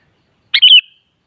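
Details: Kutilang (sooty-headed bulbul) recording meant to make a kutilang respond: a single clear phrase, a warbled opening into a sliding whistle that fades, with no background noise.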